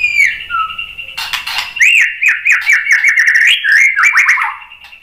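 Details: White-rumped shama song used to provoke fighting males: a long sustained whistle underlying a rapid series of short descending slurred notes, with opening falling whistles and a burst of harsh noise.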